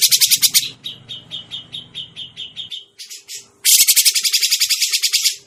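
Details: Grey-cheeked bulbul trapping lure sound: a burst of rasping chatter, then a series of shorter nasal notes repeated about three times a second over a low hum, and finally a loud, fast, grating rattle.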